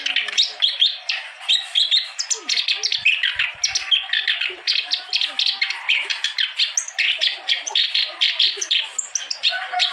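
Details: Clamorous reed warbler singing steadily, a recording meant to stimulate other birds that have stopped singing: a rapid, unbroken stream of harsh chattering and squeaky high notes in short pulsing bursts.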